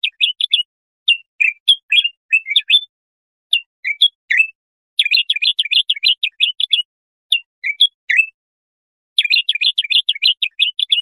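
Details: Bulbul song, used for tutoring young goldfinches or hybrids: bright, rapid chirping phrases of short sweeping notes, delivered in bursts of one to two seconds with brief silent gaps, clean with no background sound.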